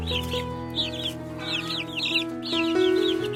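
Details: Chicks chirping in nature, short bursts of high down-slurred peeps in quick groups, set against prominent steady music tones and a low hum.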